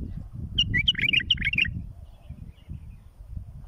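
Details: Bulbul singing, recorded for tutoring chicks toward fledging: around a second of rapid, fluty whistles and chirps in quick succession, then quiet except for a persistent deep rumbling background.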